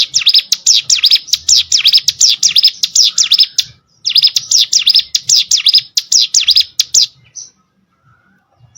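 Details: Hill prinia (cigun or prenjak gunung) song used as training audio for competition birds: fast runs of high, V-shaped sweeping notes, about three per second, in two bursts split by a short pause, then quiet.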